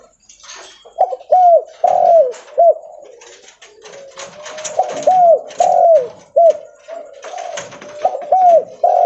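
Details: Loud, persistent spotted dove (derkuku leopard) cooing as it walks: mellow, slightly downward-bending coo notes in repeated phrases of three or four, steady through the clip, over clicking and shuffling noises.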